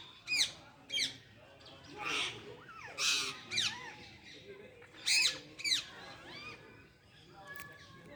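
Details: Parrot calling at full power: a series of harsh, shrill squawks and bent, whistled notes that rise and fall sharply, given in irregular bursts roughly every half second to a second, with a faint low background hum.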